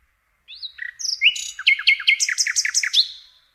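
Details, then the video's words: Common nightingale song selected for canary tutoring: an opening whistled slur, then rapid, varied repeated notes building into a dense run of bright chirps, finishing on a rising note. "Nightingale singing to teach Canary"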